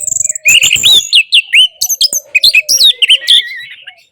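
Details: Song of the orange-headed thrush, used to coax a silent bird into singing: a rapid stream of loud, varied whistles and chirps with sharp rising and falling slurs, packed closely together, a steady faint low tone behind.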